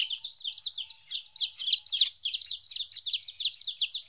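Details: Chicks of domestic chicken, two weeks old and newly separated from their mother, keep up dense, high-pitched peeping; sharp downslurred notes overlap from several birds without pause.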